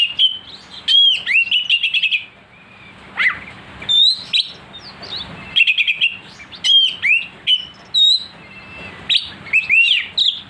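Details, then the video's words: Oriental magpie-robin (kacer) singing aggressively after being provoked: bursts of loud, sharp whistled notes and buzzy chattering phrases around high pitch, some sweeping up and down, separated by short pauses; faint low steady hum underneath. "pancingan Kacer agar emosi,pastol gacor suara pedas"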